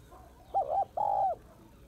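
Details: Female spotted dove calling to stimulate males: two loud, hollow coos in quick succession, the second longer and drawn out, over a quiet background.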